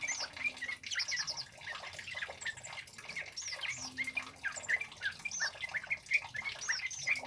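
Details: Scarlet-headed Flowerpecker, a vigorous, loud male used for luring and training birds, gives dense, rapid streams of tiny high chirps and squeaky twitters almost without pause.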